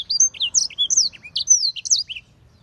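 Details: Rapid run of high, clear, sliding whistles and chirps from a black-throated canary, notes falling and rising in quick succession for about two seconds before stopping.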